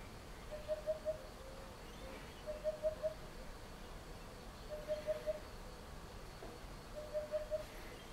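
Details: Eurasian hoopoe near Chieri, Piedmont, Italy, giving four phrases of three hollow, low-pitched 'oop-oop-oop' notes, repeated roughly every two seconds against faint rural background noise.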